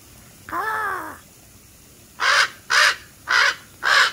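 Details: Black crows calling: one drawn-out, nasal, down-curving call, then after a pause four harsh caws spaced about half a second apart.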